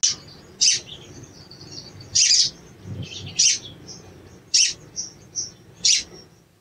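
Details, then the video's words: Cuit cuit lure calls of a sooty-headed bulbul, meant to provoke a silent bird into song: about six piercing high chips at irregular intervals with thin twittering in between. "CUIT CUIT PANCINGAN EMOSI SOGON MACET BUNYI DAN KURANG GACOR"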